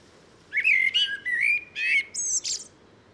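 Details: Blackbird song in short bursts of mellow whistled notes, some slurred and warbling, closed by high thin squeaky notes, with faint steady background noise throughout.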